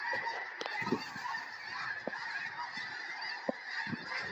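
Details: Wild snow geese by the hundreds circling overhead and settling in a Tennessee field before a major snowstorm; a steady, busy honking chorus with a few sharp, distinct calls and soft low knocks.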